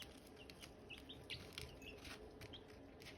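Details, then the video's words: Silkie chicken chicks chirping around hatching eggs: scattered short high peeps, some quite faint, mixed with frequent clicks, taps and a steady low hum. "Silkie chicks chirping, Hatching eggs chirping sounds"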